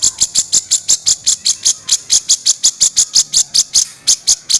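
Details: Grey-cheeked bulbul giving harsh kasaran calls for master training: a steady series of high, scratchy, rasping pulses, roughly four per second, continuing evenly without a break.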